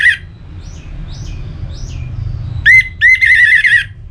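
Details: Orange-headed thrush kept in a cage in Bali, used to prompt other birds to sing; faint high whistles, then two loud warbled phrases with sweeping, trilled notes.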